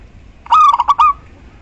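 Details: Local female zebra dove calling the male, used to lure silent males into cooing: one short burst of four or five throaty, rolling notes run together, over a low steady background hum.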